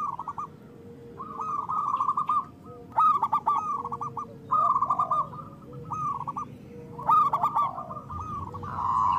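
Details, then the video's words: Local zebra doves in full song as a lure for doves slow to sing: stuttering coo phrases repeated every second or two, some louder bursts, a low background hum. "Perkutut lokal gacor Suara Besar Pancingan Perkutut Cepat Bunyi Gacor"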